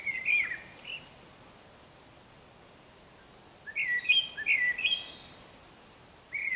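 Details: Eurasian blackbird singing in the morning while still dark: mellow fluted warbling phrases, each ending in a higher, thinner twitter, separated by a pause of about three seconds, with a European robin singing in the background.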